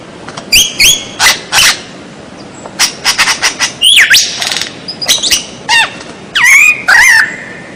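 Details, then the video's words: White-rumped shama, a training song for captive birds, delivered as loud, separated phrases: sharp vertical chips, then whistled notes, a long warbling slur and ringing upslurred whistles near the end. The phrases are spaced irregularly. "MASTERAN MURAI BATU SUARA ANEH"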